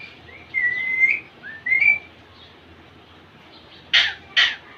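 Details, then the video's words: Young male Indian ringneck parakeet calling to impress a female: two thin rising whistles early, then after a pause two short, harsh, broad squawks about half a second apart. "baby mail parrot impress female ringneck"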